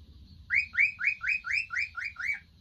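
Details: Three male cockatiels kept as pets, relaxing together at home; a quick run of eight bright, upward-sweeping chirps, about four each second, over a faint low indoor hum.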